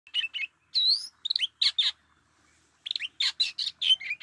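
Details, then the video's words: An Oriental magpie-robin, described as a decoy bird, sings two bursts of rich, varied whistles, upslurs and scratchy notes, high-pitched and quickly delivered, with a brief pause between phrases. "Chích chòe than mồi"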